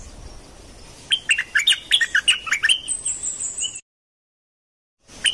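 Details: Dok taeng bird singing, a recording used to train young birds and make birds lively: a fast run of sharp, high chirps and short whistles, then a long thin whistle, then sudden silence.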